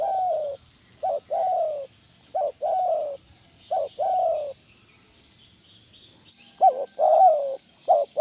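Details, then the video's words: Spotted dove, used as a recording to get other doves calling, repeating low cooing phrases of two to three notes, each a short coo followed by a longer drawn-out one, about nine phrases with pauses between. "Tekukur Mana Yang Nggak Gacor Dengan Terapi Suara Tekukur Joss ini"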